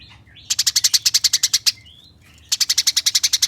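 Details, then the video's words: Eurasian tree sparrow giving fast rattling 'nyerecet' chirps, a tutor recording for competition birds: two bursts of sharp, high chirps about ten per second, split by a short pause with a few thin slurred notes. "Gereja Nyerecet Ngeroll Abis"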